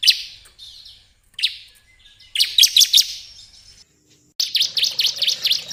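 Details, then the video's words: Bar-winged prinia calls used as a lure to draw birds in: short clusters of high, rapid chirps broken by brief pauses, ending in a fast run of bright, repeated notes. "suara pikat ciblek"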